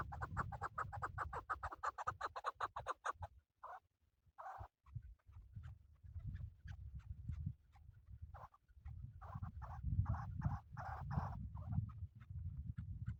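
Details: A rapid, rhythmic burst of raspy chuk notes from a male chukar partridge used for hunting, followed by broken, irregular clucking against steady low background noise.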